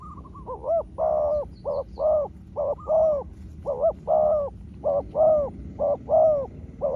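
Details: Spotted dove calling back and forth with a wild rival: dense series of rounded, slightly rising coos, some doubled, pulsing almost without pause over several seconds, distant chirps faint.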